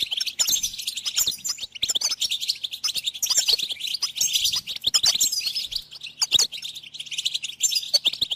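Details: Goldfinch song played to encourage pet songbirds and teach chicks: fast, liquid twittering with bright, high trills and chirps packed closely together, continuous throughout, with faint low hum beneath.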